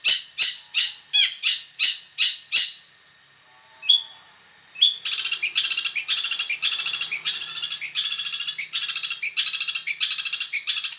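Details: Long-tailed shrike singing a mixed, varied song: a run of harsh, loud, evenly spaced notes, a short pause with two thin whistles, then a dense, fast stream of chattering, buzzy notes to the end.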